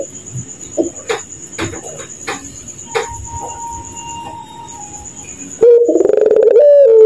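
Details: Night recording of a puter pelung dove: several sharp clicks and soft notes, then a loud outburst of rapid, pulsed, hollow cooing in its laughing style near the end, with a steady shrill insect drone behind.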